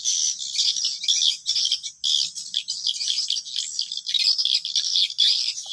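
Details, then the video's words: Swiftlets chatter in dense, buzzy, high-pitched bursts about twice a second, a rattling twitter with brief gaps, in an afternoon check at a 10-month-old swiftlet house in Sulawesi; used as a calling sound to attract swiftlets. "SUARA PANGGIL WALET ORIGINAL"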